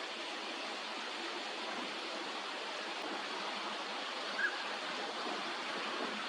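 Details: Steady broadband rushing sound like flowing water or surf, with no animal calls heard.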